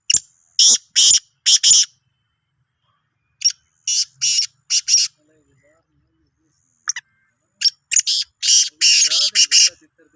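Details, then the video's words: Sindhi black francolin calling on 16 March 2023, three loud phrases of rasping, buzzy notes, the last long and rapid with six or more bursts, faint voice at the end. "Kala Teetar ki Awaz"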